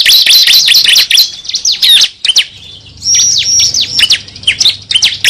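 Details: High, sharp chirps and downslurred whistles from a cible bird used as a lure, delivered in dense bursts with a quieter pause near two seconds and a low hum underneath.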